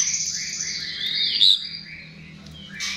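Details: Chestnut-tailed starling lure song: a sustained high thin whistle with short downward slurs, a brief louder squeaky note in the middle, and a scratchy phrase at the close.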